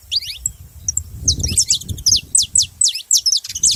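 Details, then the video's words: Saffron finch with sharp, high, slurred chirps repeated in quick pairs and triplets over a steady low background rumble. "Canário da terra fazendo barulho"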